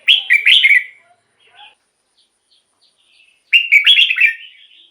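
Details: Song of red-whiskered bulbul played to make caged bulbuls lively: a bright, bubbling warbled phrase, a quiet pause with faint notes, then another loud rolling phrase sliding into a drawn-out tail.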